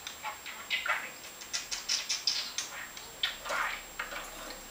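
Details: A pet budgerigar talking in Danish, chattering in rapid, scratchy bursts, running quick clicks and warbled syllables together in a steady stream of imitated speech.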